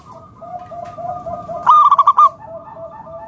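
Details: Zebra dove, local perkutut, sounding one loud burst of rapid, pulsed coos amid a steady chorus of softer, lower cooing from other doves. The song serves to lure other doves into singing.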